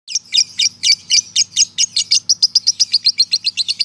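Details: Male lovebird giving its long ngekek trill, used as a training recording for young and adult lovebirds: rapid harsh buzzy chips, about four per second, high-pitched and steady for nearly four seconds with a faint low hum beneath.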